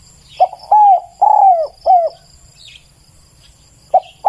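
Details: A spotted dove's clear song phrase: a short coo and three longer, slightly falling coos in quick succession, a pause, then the phrase beginning again, over a faint high hiss.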